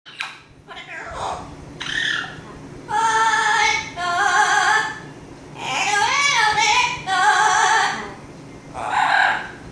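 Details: Pet Amazon parrot talking indoors, saying "pretty girl"; a string of five or six voiced, speech-like phrases with bright, squeaky harmonics and a few wavering, bending notes, separated by short pauses in a quiet room.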